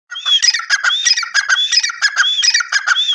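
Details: Grey francolin calling in a continuous run of loud, harsh, rhythmic phrases, each with a clear whistled rising-falling note, repeated about every half second.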